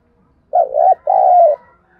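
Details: Spotted dove used as a lure bird, calling to stir wild ones: a single deep coo phrase, a jerky two-part hoot then a longer smooth purring coo, in a quiet setting.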